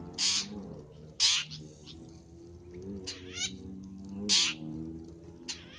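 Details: Long-tailed shrike call used for luring: loud, harsh, rasping bursts repeated at irregular intervals, with softer lower tonal murmuring between them.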